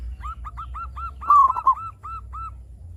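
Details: Local zebra dove in full song, a lure to set other doves calling: a single burry, rolling coo phrase set within a steady series of soft arched notes repeated quickly.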